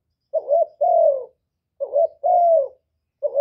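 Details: Spotted dove, called cu gáy, cu đất or cu cườm, a decoy bird cooing to stir other caged doves into singing, recorded without background noise: two-part mellow coo phrases, a short coo then a longer falling one, repeated about every 1.5 seconds.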